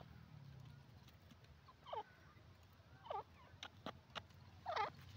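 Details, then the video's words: Calling grey francolin (teetar): three strong looped, hoarse notes about a second apart, mixed with scattered clicks and a faint low rumble. "teetar ki awaaz the voice of the grey francolin revealed"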